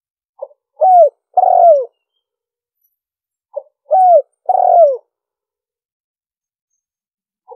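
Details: Spotted dove giving the liêu ròng style of cooing, used as a lure for wild doves. Two phrases about three and a half seconds apart, each a short soft note, a rising hoot, then a long falling coo. The background is quiet.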